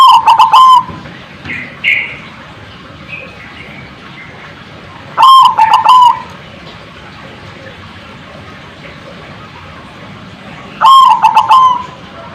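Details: Zebra dove calling to provoke answering birds: three loud phrases of rapid clipped notes closing on a steady tone, roughly every five to six seconds, with softer higher chirps between them.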